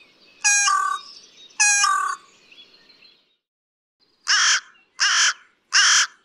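Carrion crow giving harsh, rasping caws: two longer drawn-out calls, a pause, then three shorter caws about a second apart.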